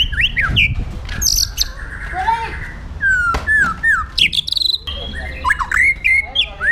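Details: Caged white-rumped shama in Indonesia with an aggressive song for training other songbirds: varied whistled slurs, sharp high bursts and chattering runs in irregular phrases, low hum behind.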